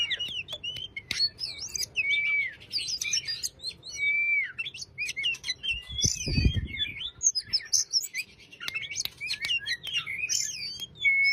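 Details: Oriental magpie-robin, a caged songbird, in a steady chattering song meant to coax a quiet bird to start singing: quick high twittering and scratchy notes mixed with clear level whistles, and a short low thump midway.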